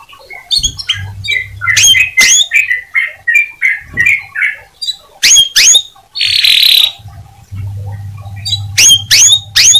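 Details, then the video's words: Canary singing to stimulate other canaries: varied phrases of short mid-pitched chirps, several sharp high down-slurred whistles, a burst of harsh noisy sound midway, and low hum at times. "Suara Burung Kenari Untuk Memancing Kenari Agar Tetap Gacor."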